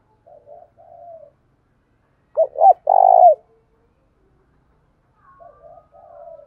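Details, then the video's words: Spotted dove calling to stir other doves into answering, Vietnam: a loud phrase of two quick hooting notes and one long rough coo, with fainter, softer coo phrases before and after. "chim cu gay kich boi"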